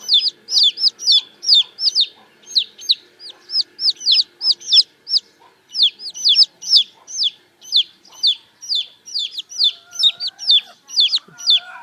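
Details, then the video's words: Domestic chicks peeping on a morning, several overlapping high, thin, downward-slurred cheeps repeated about twice a second, with faint low clatter in the background. "ลูกไก่ร้อง เจี๊ยบ..เจี๊ยบ chick sound"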